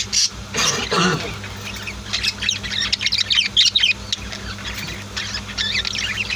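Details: Home-kept budgies and lovebirds give bursts of sharp, high squawks and chirps, louder at the start, then dense flickering twitters, with a soft steady hum beneath.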